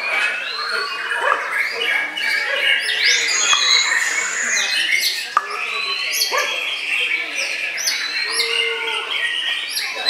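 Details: Bowing white-rumped shama singing a busy, mixed song of sweeping whistled phrases, sharp clicks and chattering notes, with several overlapping bird voices and a few knocks in the background.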